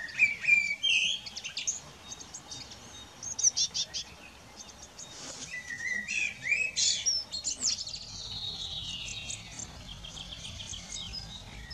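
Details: Eurasian blue tits at a garden nest box while caring for young: varied sharp high tweets and chirps, some quick upward-flicking notes, and a drawn-out thin descending whistle near the end, with brief pauses between bursts.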